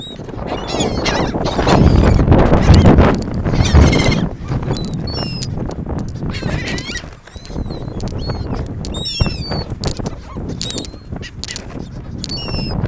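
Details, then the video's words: Beach seagulls mingling with people by the ocean: loud surf and rumble dominate at first, then high wavering squeals and short yelps from several gulls repeat through the second half. "Seagulls 海鷗"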